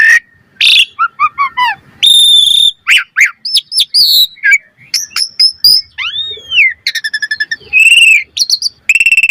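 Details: Asian pied starling lure song for training, rich in variation: clear whistles, a ringing sustained tone, arched slurred notes and fast stuttering trills, loud and nearly continuous.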